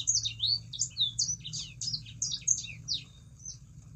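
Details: A Sangihe shrike-thrush sings distinct, high, sweeping chirps and slurred notes in quick succession that thin out toward the end, played as a lure for other birds to sing; faint low hum.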